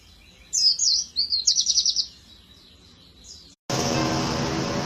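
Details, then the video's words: Oriental white-eye of the dakun type, a master song for training kept birds: a quick run of high chirps and trills for about one and a half seconds, then quiet, then a sudden loud hiss of noise. "Kicauan burung pleci cocok untuk masteran gacoan anda"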